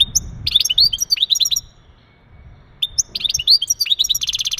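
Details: Mating song of a male European goldfinch, used to stimulate a female for breeding: rapid liquid twitters and tinkling notes, a pause of about a second, then more twittering ending in a harsh buzzy rattle.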